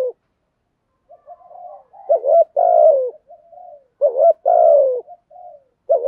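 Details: Thúc gù cooing of a spotted dove, a recording used to attract wild doves: faint, quiet lead-in murmurs build into two strong phrases of a brief note followed by a drawn-out, deep, falling coo, over silence.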